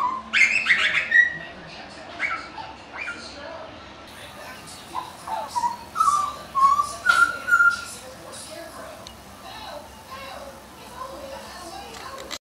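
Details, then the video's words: A butcherbird gives clear, fluty whistled notes: a bright burst at the start, then a run of short mid-pitched whistles, over steady background hiss. "Butcher Bird Call"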